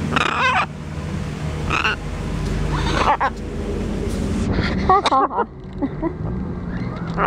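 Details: Circe, a female pet blue-and-gold macaw, playing and putting her beak on her owner without biting, gives short bursts of throaty, laugh-like syllables with a quick run near the end, over a low household hum.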